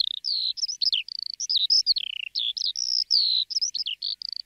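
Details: Continuous high lark song: rapid, varied chirps and liquid whistles follow one another almost without gaps, some phrases dipping lower before jumping back up. The recording is clean, with no other sounds.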